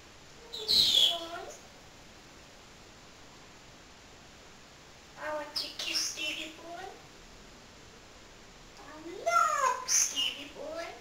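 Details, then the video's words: Pet parrot that loves entertaining people, talking in three separate bursts of chattering, speech-like syllables with shrill squeaks, separated by quiet pauses. "BEST TALKING PARROT IN THE WORLD"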